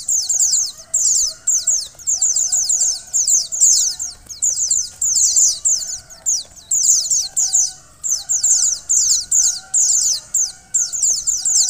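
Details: Mountain white-eye (Zosterops montanus), female call: female calling to stimulate the male to sing.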